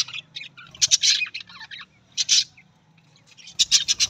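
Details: Budgie chattering loudly in dense, raspy warbled bursts broken by a short quiet gap, ending in a rapid run of sharp pulsed notes.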